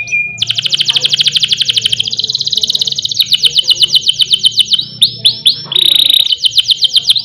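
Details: Canary singing loud and long, a master and lure recording for other canaries. A short whistle opens a fast high roll lasting several seconds, then downslurred notes, a flat buzzy phrase and another rapid trill.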